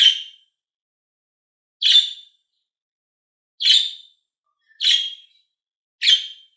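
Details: Green and blue budgie birds calling: five loud, scratchy high chirps, spaced one to two seconds apart, with quiet pauses between them.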